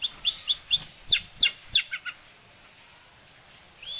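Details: Tame kept sulingan gunung, a bird with a varied repertoire, giving about eight quick, sharply falling whistled notes in an even rapid series, then a pause and one short rising whistle at the end.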